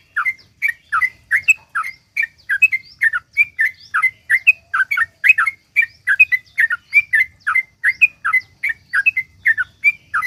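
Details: Lively sooty-headed bulbul pouring out long 'ropel panjang' rattling song, meant to prompt other bulbuls to sing. An unbroken run of rapid, bubbling chirped and whistled notes, about four a second, with no other clear sounds.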